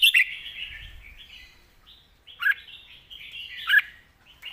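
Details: Red-whiskered bulbul, 'master song' style: a sharp opening note, then two clear, rising-and-falling warbled notes about a second apart, with gentle background twittering between them.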